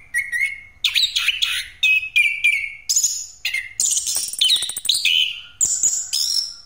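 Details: Pastol Orange-headed thrush in rolling full song, played to lure birds: a run of clear, slurred whistled phrases, some falling and some rising, interleaved with dense high rattling trills and brief gaps.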